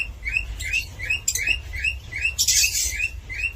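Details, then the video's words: Short upward-sweeping cockatiel chirps in a fast, slightly uneven series, broken once by a louder burst of noisy squawking, over a faint low-pitched hum. "COCKATİEL SOUND"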